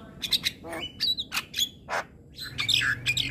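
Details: Javan myna (jalak kebo) in morning song, giving scratchy chattering bursts, short whistled notes and rasping squawks in quick succession.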